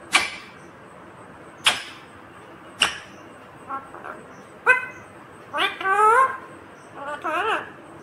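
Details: Talking pet Indian ringneck parakeet mimicking human words in Hindi asking mummy for roti; a few sharp clicks first, then a rapid burst of nasal, wavering speech-like syllables.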